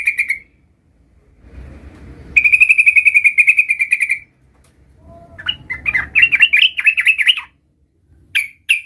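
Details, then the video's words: Learning its rolling song, a young sooty-headed bulbul gives a single sharp note, then a long even trill, then a varied warbling run of rising and falling notes and two final sharp chips. "suara trucukan gacor belajar Ngerol"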